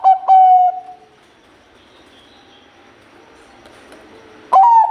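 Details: Bangkok-type zebra dove singing: the close of one phrase, with two sharp coos and a held note, then a long quiet pause before the next phrase begins with a rising, bright coo.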